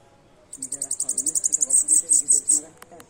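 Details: Bananaquit delivering its Pernalonga-style song, a rapid string of thin, high ticking notes that swells into several louder, drawn-out squeaky notes over two seconds, with faint low voices beneath and a sharp click just after.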